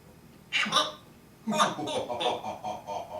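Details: Pet parrot indoors in a small room uttering short speech-like syllables, two bursts then a string of rapid chattering notes.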